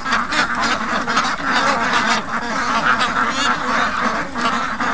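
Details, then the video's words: Morning clamour of 55-day-old farm ducks eager to be released after their keeper slept in; many nasal quacks overlap into a pulsing chorus, loud and unbroken. "Morning Rush I Slept In & The Ducks Were Not Amused With This At All"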